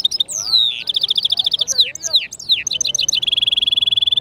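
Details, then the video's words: Varied song of a European goldfinch mule: descending whistled slurs, rapid chattering trills and liquid twitters, finishing in a long, even, fast-ticking trill. "European Goldfinch mule singing"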